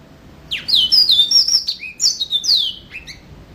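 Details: Yellow-fronted canary singing in lively, full-volume form: a rapid string of high, sweet whistled notes sliding downward, mixed with short chirps and a lower trill, over a quiet background.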